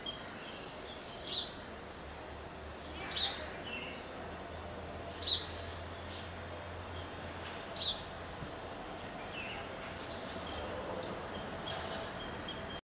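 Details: Asian green bee-eater (Merops orientalis), call.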